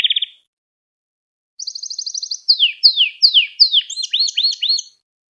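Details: Singing canary as a model for young canaries: a brief low trill, silence, then a high rapid trill followed by a series of loud descending slurred notes repeated several times.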